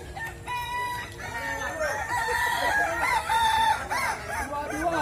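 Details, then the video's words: Kukuak Balenggek roosters at a crowing contest in West Sumatra; a long, level, harmonic crow holds steady near the middle, while other roosters crow in overlapping arcs all around. "Lomba Kontes Ayam Kukuak Balenggek, Suaranya Bikin Kagum"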